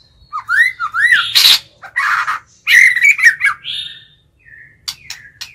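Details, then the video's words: Caged decoy White-rumped shama singing to lure and challenge wild birds: varied phrases of rising whistled slurs, buzzy bursts and sharp high notes, with short pauses between phrases. "Chích chòe lửa mồi hót gọi bổi"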